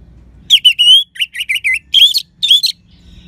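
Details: Energetic orange-headed thrush song in the clear 'crystal' style meant to provoke silent birds into answering: a dense, unbroken phrase of rising and falling slurred notes and chirps.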